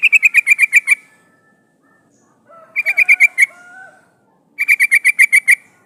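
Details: Decoy call of a female sooty-headed bulbul summoning a male, for luring wild birds: three fast rattling bursts of seven or eight sharp notes each, separated by lower sliding whistles.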